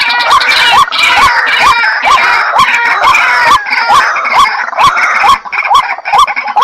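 A White-breasted waterhen gives loud, harsh croaking calls with hooked, upward notes, about two a second, over a rough, grating background of overlapping calls.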